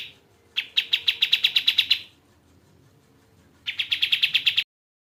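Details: Crimson-breasted flowerpecker used as a tutor recording for songbirds such as magpie-robins: two bursts of rapid, high, evenly repeated ticking notes, each about a second long, separated by a quiet gap.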